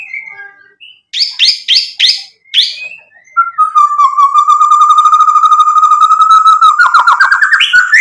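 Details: White-rumped shama in full song, used as a lure to provoke other birds into answering: a few sharp rising whistled notes, then a long, even, buzzy trill held at one pitch, ending in quick rising slurs.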